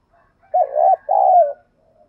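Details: Spotted dove used daily as a decoy to rouse rival doves gives a short coo phrase: a wavering throaty note, a brief gap, then a longer smooth note that drops at its end.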